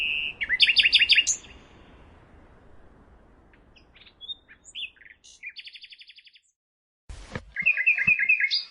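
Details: Nightingale song: a rapid rattling burst, soft scattered notes, an even trill of repeated pulses, a sharp click, then a fast series of repeated chirps.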